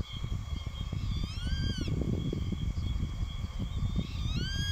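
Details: Young Grey-faced Buzzard calling over and over at an adult that ignores it and finally drives it away; two bright, slurred, ringing whistled notes about three seconds apart over constant low rumble and faint steady high tones.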